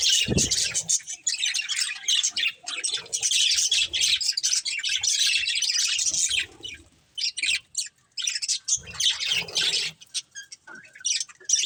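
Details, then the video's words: Family of pet budgerigars in lively chorus: long stretches of rough, rapid warbling and chirps for about six seconds, then broken bursts of twittering with short silences, one low knock near the start. "Cute Budgies Chirping Sounds"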